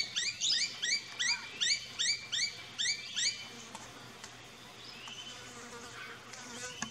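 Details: Noisy miner (Manorina melanocephala) in an Australian backyard garden gives a rapid run of about eight sharp, rising-falling chip notes over three seconds, then quiet garden ambience with faint distant birds.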